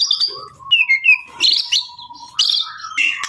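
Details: White-rumped shama singing a rich, varied phrase: pure whistled notes sliding down and up, a bright burst of rapid trills, and sharp high accents, with a lower steady whistled tone running beneath.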